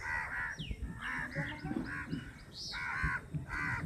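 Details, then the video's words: Crows squabbling over a chapati among a large flock: quick harsh caws in clusters, overlapping voices, a thin descending squeal and higher chirps mixed in. "1 vs 50 crow || crows biggest fight || crow eating chappiti || crows sound"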